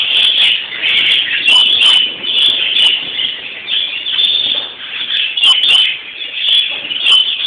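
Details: European greenfinches (Chloris chloris) on Palm Sunday. A continuous high twittering song with trills and chirps is interrupted by brief scratchy broadband bursts.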